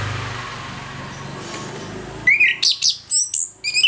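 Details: Orange-headed thrush in the morning, singing ngeplong as a lure for birds slow to sing: after a low rumbling background, a quick series of high, varied whistled notes with sharp up and down slurs.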